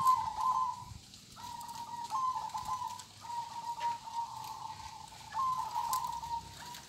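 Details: Kong-style song of a local zebra dove: a series of short, trilled cooing phrases separated by brief pauses, evenly pitched and fluttering.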